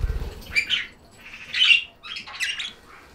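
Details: Budgerigars chirping indoors: three short, buzzy chattering bursts, the middle one loudest, after a brief low fluttering at the start.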